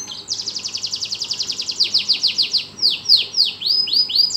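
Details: Caged canary singing energetically in a lovebird cage: a rapid rolling trill of high descending notes, several per second, slowing into longer sweeping slurred whistles.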